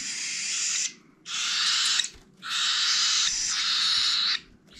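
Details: Cockatiel chicks, the last of the year's brood, being hand-fed, beg with harsh, wheezing hisses in long bursts of a second or more, separated by brief pauses.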